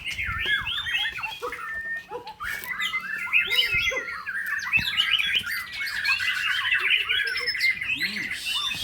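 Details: White-rumped shama, kept as a songbird, singing a loud, rich run of varied whistled and chattering phrases that tumble continuously over several seconds, with a person talking softly in the background.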